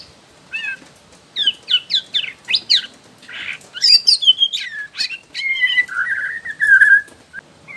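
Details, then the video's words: Young wild white-rumped shama of Borneo, used to prompt other shamas to sing, giving a lively mix of sharp upslurred chips in quick series, scratchy notes and clear falling whistles ending in a drawn-out warble. "MURAI BATU BORNEO Trotol Muda Hutan Ampuh Buat Pancingan Murai Batu"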